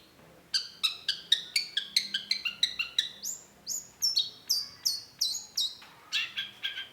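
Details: Long-tailed shrike singing a lure song intended to make others answer: a quick run of stacked, chirpy notes, then higher thin whistles that slide downward, repeated in a loose series.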